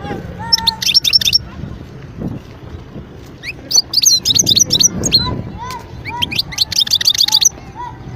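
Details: Wild European goldfinch from Skikda, Algeria, recorded in 2022, singing in short bursts of rapid, high tinkling twitters separated by pauses, with lower soft notes and faint background murmur.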